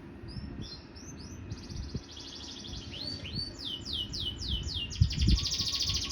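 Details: Canary singing again after its molt: a continuous song of high, downward-sweeping whistled notes repeated in quick series, switching into fast buzzy trills, over steady low background noise.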